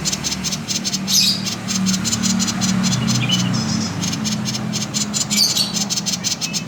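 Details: Common iora delivering its 'konslet' call, used to draw song from other birds: long, rapid, buzzy rattle of high pulses with a few short whistled notes breaking through, above a faint low hum.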